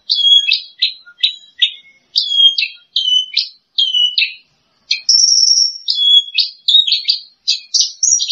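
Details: Lark known as branjangan, champion number two, singing grouped chirps in threes and fours, then a sustained high whistled note followed by varied mixed chirps.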